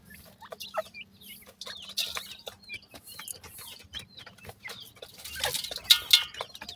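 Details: High-pitched peeping from grey francolin chicks, brief curved chirps coming in quick irregular series, with tapping and rustling noises underneath and a faint steady hum.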